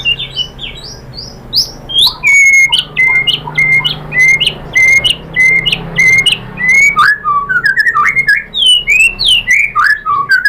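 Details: White-rumped shama song used as a provocation track to make other shamas reply: a long varied run of loud whistled notes, upward slurs and rapid sweeping phrases, with sharp clicks and chattering bursts between them.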